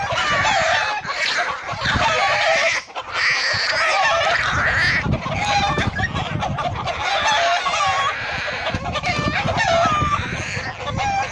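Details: Chicken fighting a hawk to protect her chicks: dense, continuous loud cackling and shrieking squawks, overlapping and agitated, with flapping and scuffling noise throughout and a brief lull near the third second.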